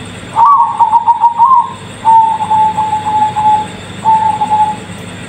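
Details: Bangkok-type zebra dove cooing: a quick, warbled, bubbling opening phrase followed by two long, even, purring coos separated by pauses of about half a second, over a faint steady background hum.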